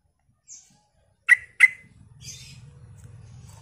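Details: Lure recording of a lively Sooty-headed bulbul meant to make other bulbuls answer: a faint high note, then two loud clipped chirps in quick succession, followed by a soft scratchy twitter over low background rumble.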